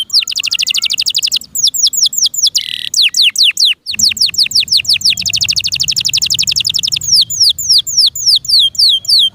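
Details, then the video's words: Captive canary singing a long, loud sequence of rapid high trills and descending whistled notes, with a short buzzy burst midway and a faint low hum underneath. "PLEASE LISTEN AND ASSESS FOR YOURSELF THE BEST CANARI BIRD"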